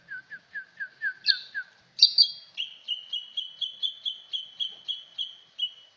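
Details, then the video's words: Cucak ijo song opening with a series of quick, evenly spaced lower whistled notes, then a harsh burst, then a long steady string of higher repeated chirps, about three per second. "Merdunya burung trucak ijo"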